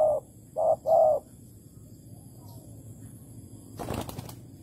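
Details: Spotted dove at a bare-bait bird trap in Malaysia, 11 August 2020, gives three low coos in quick succession, followed by quiet and a loud burst of flapping wings near the end.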